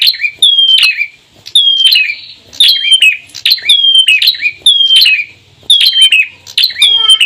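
Bar-winged prinias, male and female, trading loud high chirps and thin whistled notes, a burst about every second, sharp and busy throughout.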